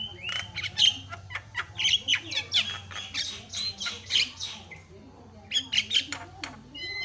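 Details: Javan myna giving a lively, varied song meant to rouse other mynas: dense runs of harsh squawks, high whistled notes and scratchy chatter with brief pauses, over a low steady hum.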